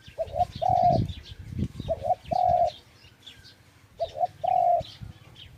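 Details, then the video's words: Dove cooing: two short soft notes followed by a longer drawn-out coo. The phrase comes three times in quick succession over a low rumbling background, with faint high chirps from other small birds. "Tiếng chim cu chuẩn"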